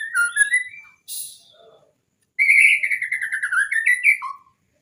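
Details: Song of a white-rumped shama, recorded to train shamas that rarely sing: quick rising whistles, a harsh rasp, silence, then a long rapid rattling warble ending in a low slurred note.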